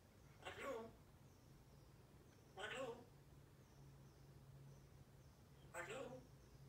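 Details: A pet grey parrot says 'good morning' in three short, speech-like phrases a few seconds apart, with a low steady indoor hum underneath.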